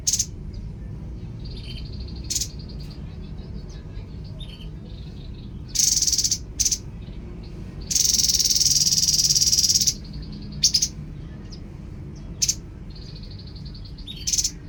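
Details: Babbler (tepus) song mixing soft high pulsed whistle trills with harsh buzzy bursts, including one long grating buzz of about two seconds and a shorter one, plus sharp clipped notes, over a low hum.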